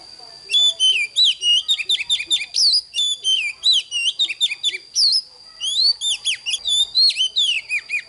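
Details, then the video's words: Lively Oriental magpie-robin morning song, for young birds in training. Fast runs of varied whistled notes, downward slurs and crisp chips come in bursts with a short break near the fifth second, over a faint steady high whine. "Chòe than HÓT SÁNG CỰC ĐÃ || Luyện Chòe than NON HÓT HAY"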